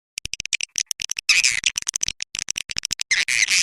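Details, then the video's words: Swiftlet calling sound used as a lure to attract swiftlets: dense rapid high clicks and chattering bursts, with short buzzy stretches, packed closely with no low sounds. "suara panggil walet"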